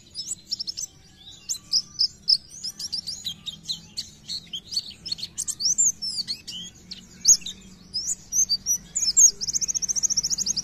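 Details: Oriental white-eye gacor nembak song, played to boost singing in other white-eyes: spaced high chirps building into dense rapid twittering, ending in a fast buzzy trill of closely repeated notes.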